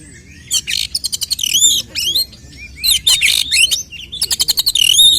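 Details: Oriental magpie-robin, a kept songbird, in fighting song meant to provoke other males: loud varied phrases of rapid clicking trills and bright upslurred whistles, bursts separated by short pauses, with faint background noise.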